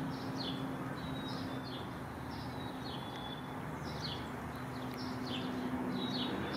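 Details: A Black-capped Chickadee in a backyard garden in Downers Grove, DuPage County, Illinois, gives thin, high chips and short downslurred notes in loose clusters every second or so, over a steady low traffic rumble and hum.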